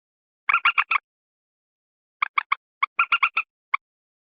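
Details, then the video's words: Slow edited lure of common moorhen calls for enticing wild birds closer at wetlands or paddies: a few brief clusters of fast, clipped clucking notes separated by about a second of silence. "Suara pikat burung Mandar_Pelan_Common Morhen_Gallinula Chloropus"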